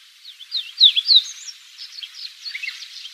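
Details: On Yonaguni Island in April 2001, one of five or six rare migrant Chestnut buntings (males, females and juveniles) perched on branches at a mountain's foot gives soft, rambling subsong: thin, high slurred notes and brief twitters in an irregular stream.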